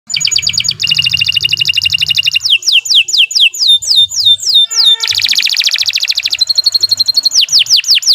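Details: Canary singing a long, continuous training song: rapid buzzy trills, then a run of descending whistled slurs, more dense rattling trills and rising sweeps, all loud and high-pitched with faint low thumps beneath.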